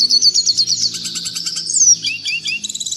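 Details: Red siskin singing clearly for tutoring caged birds: a high twittering run, pulsed chips, a sliding whistle and quick rising-falling notes, with a faint low hum beneath.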